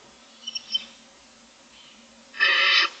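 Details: Barn owl nest camera on day 25 in the morning: six owlets looking for food. A few faint short squeaks early on, then a loud, harsh, broadband hissing burst lasting about half a second near the end.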